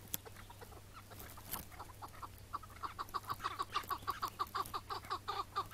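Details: Chukar partridge during a May 2017 morning partridge hunt; a quiet start gives way to an accelerating, louder series of chuck notes, about three per second, sharp and rhythmic.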